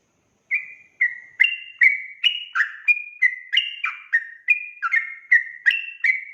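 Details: Sooty-headed bulbul song played as a lure for trapping, a steady stream of short liquid chirping phrases, each note starting sharply and fading, repeated rapidly and evenly over six seconds, clean with no other sounds.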